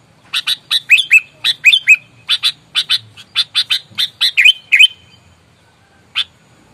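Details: Sooty-headed bulbul in fierce fighting mode, played to lure rivals: a fast run of harsh chattering notes mixed with slurred, dipping whistles, then silence and one final sharp note.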